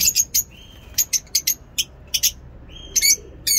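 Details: Lovebirds singing in a mini zoo, morning: sharp, bright high chirps in quick pairs and triplets, with occasional thin whistled tones between them.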